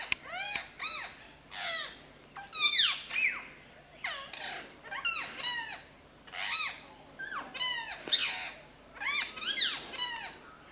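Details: Indian ringneck parakeets, a tame bird meeting two wild green ringnecks: a steady run of loud, harsh, arching squawks, often in quick pairs or clusters, repeated throughout with short pauses between bursts.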